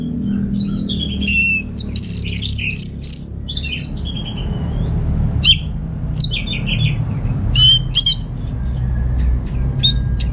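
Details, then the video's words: Orange-headed thrush kept at home in Singaraja, North Bali, as a training and lure singer; bright, rapid, varied whistled phrases and clipped notes in bursts separated by short gaps, over a constant low room hum. "Suara ANIS MERAH Berkicau || Pancingan & Masteran Burung"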